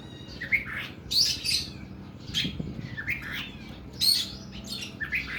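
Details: Oriental magpie-robin singing its long, harsh 'nembak' bursts: short chirped and scratchy phrases spaced about a second apart, with pauses between, over a steady low background hum.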